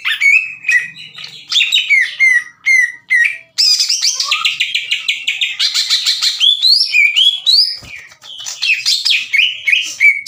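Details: Green leafbird song meant to excite rival leafbirds into responding: a few whistled notes lead into a long, loud, rapid chattering and warbling stream of mixed phrases.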